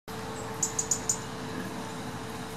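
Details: European robin, Berlin, 25 July 2018, giving four sharp, high ticks in quick succession over about half a second, against a steady low mechanical hum.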